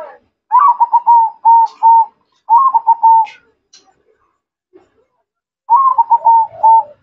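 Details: Perkutut (zebra dove) singing actively: three low cooing phrases. Each starts with a rapid stammer and runs into steady, evenly spaced coos, with faint clicks between phrases.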